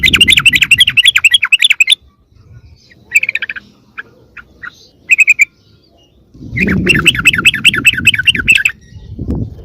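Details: Sooty-headed bulbul calling as a lure that brings other wild bulbuls near. Two long bursts of rapid bubbling chatter frame a quieter stretch of a few brief notes, with low rumbling noise under the chatter.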